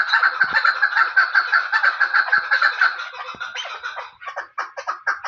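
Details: Female chukar, a local bird kept for hunting, gives a dense run of rapid clucking notes at about three per second. The notes are loud and overlapping at first, then thin into separate, spaced chucks near the end.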